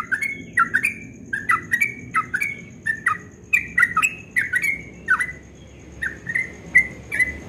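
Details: Yellow-vented bulbul singing at dawn, a lively run of short liquid whistled phrases, each a quick rising-then-falling note, repeated in steady bursts through the whole stretch over a faint low hum.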